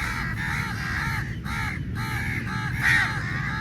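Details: Crows squabbling over meat, a rapid series of hoarse, nasal caws running almost continuously from several overlapping birds, above steady low ambient noise.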